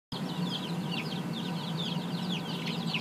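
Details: Several young chicks of a laying breed in a small brooder coop, peeping constantly with short high downward-sliding chirps overlapping one another, over a steady low hum.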